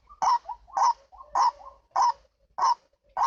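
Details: White-breasted waterhen, locally ruak-ruak, calling as a lure for trapping birds: loud, harsh, nasal croaks repeated steadily about every half second, with softer short notes between them.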